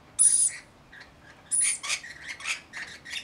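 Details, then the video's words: Flock of about 40 rainbow lorikeets looking after a single baby, giving harsh, high screeches: two long shrill bursts with a run of shorter chattering notes between them. "Baby Rainbow Lorikeet with small flock"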